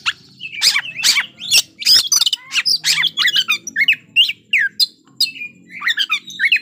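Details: Oriental magpie-robin in full fighting-bait song to provoke an opponent: a dense, loud, nonstop jumble of harsh rasps, squeaky chips and slurred whistles with barely a pause, a faint low hum behind.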